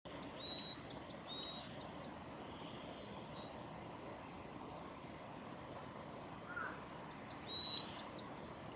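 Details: Varied tit singing at Gongenyama on 11 April 2021: short high whistled phrases of thin notes ending in a level tone, two phrases about a second apart, then a long pause before another. Steady broad rumble of wind or traffic throughout.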